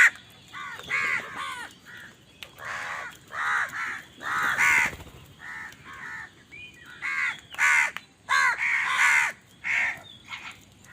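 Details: A rapid run of loud, grating caws from crows competing for food, calls coming close together and overlapping as several birds call at once.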